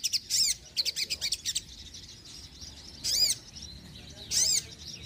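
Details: High, sharp sogon chirps: a rapid string of notes at the start, then two separated single bursts, recorded to attract birds and stimulate reluctant singers.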